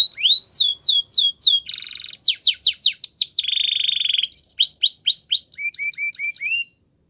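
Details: Spanish Timbrado canary training song with varied phrases: falling whistles, a harsh buzzy trill, spaced sharp notes, a smooth rolling trill, then lower rising whistled notes before silence.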